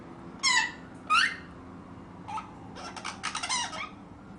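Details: A five-month-old ring-necked parakeet gives two loud, rising squawks, then a run of softer chattering, rasping mumbles, perhaps set off by an ambulance; the room is otherwise quiet with a low hum.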